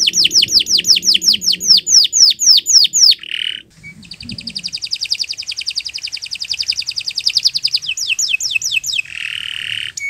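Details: Singing canary, recorded as a master for teaching other birds, giving repeated downslurred whistles, a low buzzy note, a long rapid trill, then more sweeps and a drawn-out buzz.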